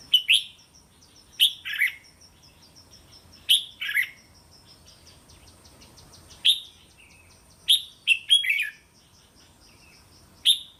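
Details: Red-whiskered bulbul song and 'rik' calls for tutoring young caged birds; scattered short bright whistled phrases of one to three notes recur every second or two over a faint high, rhythmic ticking.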